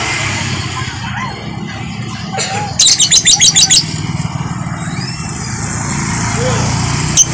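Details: Lovebird singing at six in the morning, a master recording for training other birds: one burst of about eight rapid, sharp, high chirps over a steady low rumble of traffic, with faint scattered chirps.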